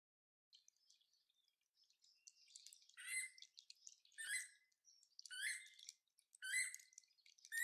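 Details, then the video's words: Levaillant's cuckoo calling on 16 January 2022, giving harsh, chattering squawks in loud bursts about one a second, with softer twittering bird notes filling the gaps. "Levaillants Cuckoo Calling"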